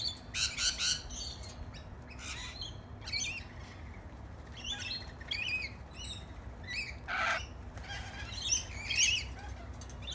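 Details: Tame lorikeets that came over to feed on bread: bursts of shrill, screechy chirps and squawks, several birds calling in quick irregular clusters with short pauses between.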